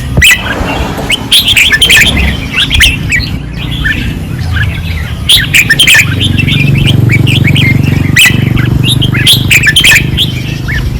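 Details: Red-whiskered bulbuls at a training perch, 2024, in fierce song: dense, overlapping warbles and sharp chirps packed almost continuously, several birds competing, with a louder low rumble building in the second half.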